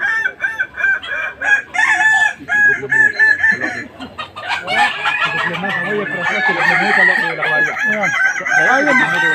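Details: Kukuak Balenggek rooster, a Minangkabau breed, at a latberan crowing contest in Tergal, Alahan Panjang: a string of short, harmonic, repeated crow syllables, then a long crow that blends into dense overlapping crowing from many other roosters.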